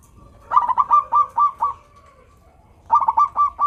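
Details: Local zebra dove in full, sweet-voiced song, played to get reluctant doves singing: quick runs of clipped, bubbling coo notes in a steady series, a pause, then another rapid run.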